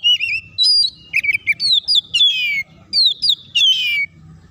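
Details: Oriental magpie-robin singing as a lure to provoke other birds to sing and fight: loud, clear whistled phrases, some sliding down, others warbled and rising, in bursts of about half a second with short pauses, against a faint low hum.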